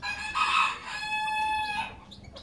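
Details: Rooster crowing early in the morning while a goldfinch bathes nearby: one strong, rich, harmonic crow, a loud opening swell that settles into a long held tone before fading.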